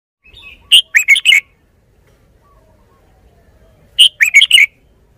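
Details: Red-whiskered bulbul singing two short, bright phrases about three seconds apart, each a quick run of four or five loud whistled notes that bounce up and down, with near silence between them.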